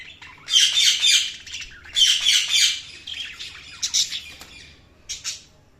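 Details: Budgies giving two long, loud, raspy chattering bursts, followed by shorter, quieter high chirps that trail off toward silence.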